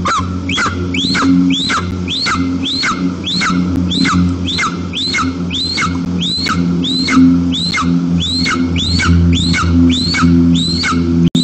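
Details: Family of wild white-tailed eagles at the nest, Tatarstan, Russia, September afternoon: rapid, insistent run of shrill upslurred yelps, about two each second, continuing without pause above a low steady hum.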